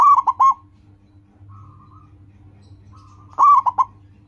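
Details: Repeated song of a local zebra dove, used as a lure for caged birds: a rolling coo with two quick clipped coos, a soft drawn-out coo in the gap, then the three-part phrase again.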